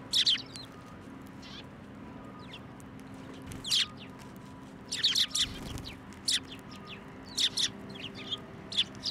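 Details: Sparrows being hand-fed at Tenmangu shrine on 17 January 2024 call with brief sharp chirps, sparse at first then in quicker clusters near the end, over a soft steady hum.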